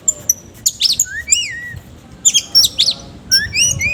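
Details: Oriental magpie-robin singing vigorously in an agitated, fluffed-up display, with a coarse fill-in song style: loud whistled phrases with high thin notes, sweeping slurred whistles and quick chattering bursts that come in clusters about every second.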